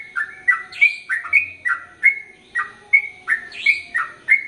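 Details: Sooty-headed bulbul in lively, long rapid song used as training audio for male and female birds: bubbly, slurred notes, some rising and some dropping, delivered in a quick, steady chain of about three per second.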